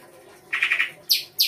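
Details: Songbird in isian rai gosong kancer song: a fast scratchy trill of three pulses, then two high piercing whistles spaced about a quarter second apart.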